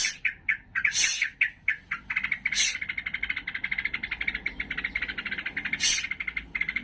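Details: Agitated trucukan, the sooty-headed bulbul, in fighting mood: opening with a few louder, sharp chirps, then a fast run of rhythmic clicking notes, with occasional bright, high bursts standing out.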